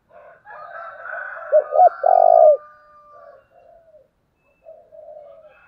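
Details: Spotted dove used as a decoy, calling to draw wild birds: a loud phrase of two quick hooting notes and a long vibrating coo, with softer coos around it and faint higher whistled notes in the background.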